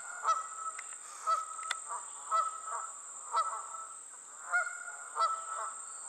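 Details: Geese flying past give loud, nasal honks about once a second, each call broken into a couple of quick notes, set against a steady high hiss.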